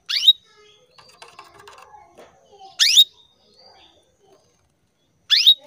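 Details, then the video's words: Female canary calling to males, kept as a cage bird in Indonesia; three sharp upward-sweeping chirps spaced about two and a half seconds apart, with faint soft twittering between them. "PANCINGAN KENARI BETINA MEMANGGIL JANTAN"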